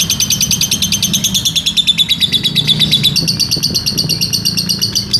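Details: Shrill buzzing trill of a lovebird, a ngekek panjang master for training birds: quick repeated pulses drop gradually in pitch, then jump higher and continue steadily, with faint low hum beneath.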